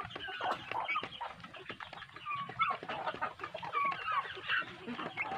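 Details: Growing village-chicken chicks kept on good feed, many together: constant shrill cheeping with scattered brief clear whistles and rapid overlapping chirps, no pauses in the flock's noise.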